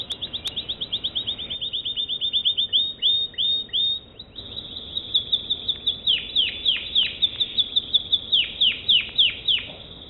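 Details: An American Singer canary delivers a rapid high trill, then chopped repeated notes, then a loud sequence of swooping whistles, each dropping steeply in pitch, about three per second.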